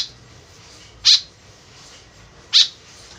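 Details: Lively white-breasted woodswallow call used as a lure: a clipped note at the very start, then two loud harsh buzzy notes about one and a half seconds apart against low background hiss.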